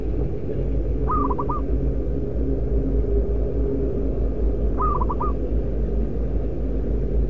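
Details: Local zebra dove used as a lure bird, loud-voiced, repeating its short rattling coo phrase twice, nearly four seconds apart, with constant deep rumbling underneath.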